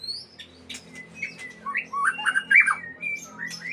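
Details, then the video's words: Captive-bred white-rumped shama (murai Aceh) delivering quick mixed phrases: thin high whistles, chattering clicks and rich slurred notes rising and falling, about two per second, over a faint low hum. "Murai Aceh"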